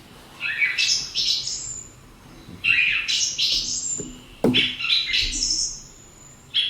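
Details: Song thrush song played back during a farmland bird identification workshop: bright, whistled phrases in short bursts, each phrase repeated quickly, with pauses of about a second between groups before a new phrase begins. A sharp click sounds midway.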